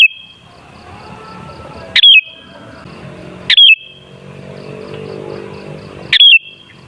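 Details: Sooty-headed bulbul song used as a lure to make bulbuls sing energetically: short liquid warbled phrases, each a quick cluster of notes, recurring about every two and a half seconds over a quiet background.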